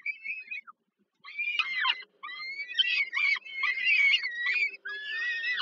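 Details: Young peregrine falcons begging while their mother feeds them in the evening, Żerań, Warsaw, Poland, July 2022; a short harsh squeal, a pause, then a run of rasping, wavering screeches with brief gaps.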